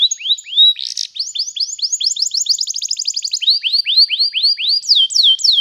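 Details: Young-canary training song of a canary, rolling and long: rising hooked whistles repeated in quick series, a dense rapid trill, then slower high falling notes.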